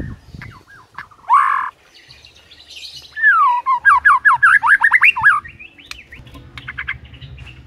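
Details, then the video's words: White-rumped shama phrase: scattered whistles and a harsh note, then a rapid descending-and-rising sequence of about ten looping whistled notes, with softer notes after. "Murai Batu Jadi Ikut Gacor"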